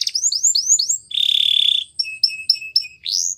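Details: Canary training song: a few rising whistled slurs, a long buzzy rattle, repeated short two-part notes, then a bright upward sweep, high and crisp.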